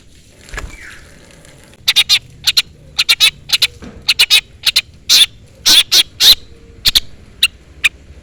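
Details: Long-tailed shrike giving calls meant to summon a rival, used as a lure to make other shrikes answer: harsh, scratchy broadband notes in irregular singles and pairs, growing louder, after a faint rustle and a brief thin note at the start.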